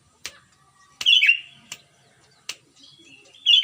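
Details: Sooty-headed bulbul from Pengalengan, Bandung, West Java, singing to draw out bulbuls that will not sing: one bubbly, descending phrase, then clicks and the start of another phrase at the end.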